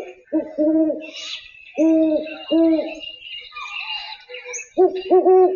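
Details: A male and female Great Horned Owl pair trade deep, soft hoots in short rhythmic bursts, the two voices slightly different in pitch, over faint higher bird chatter.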